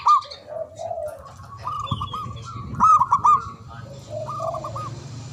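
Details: Local Javanese zebra dove with a big, loud, long-breathed voice, used as a lure to make silent doves sing. Quick beaded coo phrases near one pitch alternate with lower drawn coos over a steady low hum, with thin high whistles from other birds.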